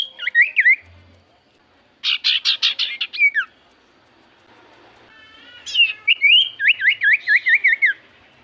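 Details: Lure recording of a Javan white-eye singing to prompt common ioras: looping whistled notes, then a burst of rapid sharp chirps, later a rising sweep leading into a fast series of wavering whistles.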